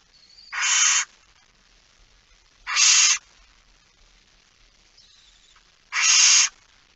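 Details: Inside a barn owl nest box on a September 2019 night: three loud, harsh hissing screeches, each about half a second, spaced two to three seconds apart, with faint thin whistles between.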